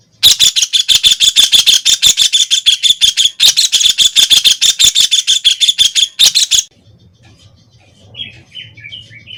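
White-throated kingfisher giving a loud, shrill chattering trill of rapid harsh notes for over six seconds, then falling silent; faint other bird notes follow.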